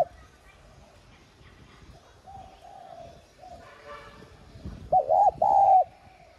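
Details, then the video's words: Spotted dove decoy in the 'giọng son' voice, cooing to provoke doves into calling. Faint drawn-out coos at first, then a brief broad noise, then two loud mellow slurred coo notes near the end. "Tiếng cu đất gáy kích bổi nhanh gáy"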